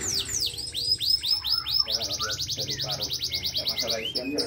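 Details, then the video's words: Local canary singing energetically: rapid series of bright, descending whistled sweeps repeated about eight times a second, then shorter chirps and a rising note at the end, with a faint low hum underneath. "Kenari Lokal Gacor Dor"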